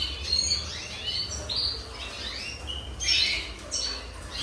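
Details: Red siskin, season 2023: a twittering run of high chirps, rising and falling slurred notes, and buzzy bursts, loud and close with a low hum underneath.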